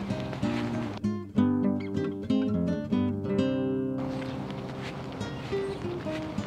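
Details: Acoustic guitar music is strummed and plucked throughout, with no animal voices.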